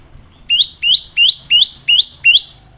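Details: Bar-winged prinia giving a lively ngebren song for tutoring young birds: six bright upward-slurred whistles, roughly three per second, over a soft low hum.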